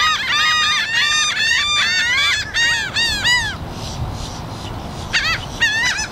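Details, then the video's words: Loud yelling from seagulls and black-headed gulls, captured on a Rode Stereo VideoMic, as a quick series of harsh, down-curving squeals for three and a half seconds, a pause, then a few more yelps. "Loud Bird Sounds, Seagulls Yelling"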